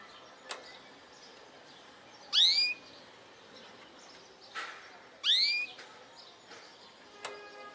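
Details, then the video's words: Goldfinch hybrid giving isolated bright, upward-slurred notes, two loud ones nearly three seconds apart, with a few sharp clicks and softer chirps scattered between them. "Saka Melezi Parçalı ötüm"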